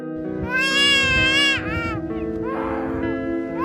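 A Black-collared starling gives a loud, wailing, nasal call that rises and falls, then breaks into a harsher rasp, over steady background music.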